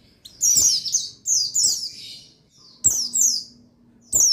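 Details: Buxtoni white-eye (pleci) male, used to rouse birds to sing; dense, bright twittering phrases of tumbling high notes, each lasting about a second, separated by short gaps.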